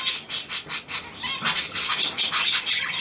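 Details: Hand-tame pied budgerigar, newly acquired, recorded 17 February 2023: a run of short, harsh chirps and squawks in quick succession, about five per second at first, then a softer stretch before more scratchy chirps resume.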